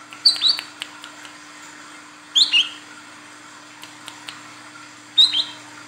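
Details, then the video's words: Female Olive-backed Sunbird calling to a male, used as a lure: three short bursts of high, sharp, upward-sweeping chirps, spaced about two to three seconds apart, with a low constant hum behind. "SUARA PANCINGAN BURUNG KOLIBRI KELAPA WICEH BETINA GACOR MEMANGGIL JANTAN"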